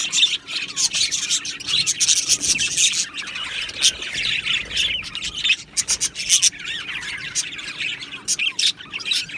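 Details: Australian budgerigars in an aviary colony chattering together: dense, scratchy high warbles and squawks overlapping continuously, with short chirps bursting out in quick clusters throughout.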